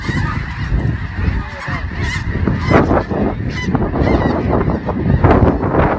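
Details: Snow goose flock at close range, loud overlapping honks and yelps forming a constant din, with strong low rumbling beneath.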